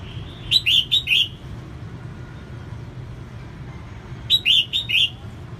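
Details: A female red-whiskered bulbul sings to stimulate males, delivering two matching phrases of four bright, bouncing whistled notes about four seconds apart, over a low continuous hum.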